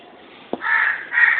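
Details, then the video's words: A pair of pet lovebirds giving two drawn-out, grating screeches in quick succession after a soft click. "Love Birds"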